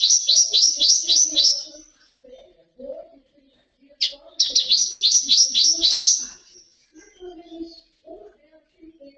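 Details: Captive common waxbill from a breeding aviary singing the song style called Tui Tui: two bursts of rapid, high buzzy notes repeated about four per second, each run lasting around two seconds, with softer low chatter between.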